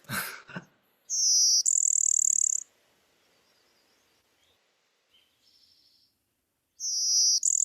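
Blue-winged Warbler singing a high, insect-like two-part buzz: a short buzzy note, then a longer, slightly higher buzz. It begins again near the end, after a brief thump at the start.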